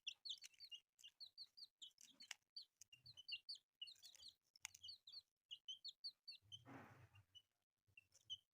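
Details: Several newly born chicks peep shrilly and rapidly, their bright chirps tumbling over one another, with one brief burst of broad rustling noise midway and soft low thumps in the background.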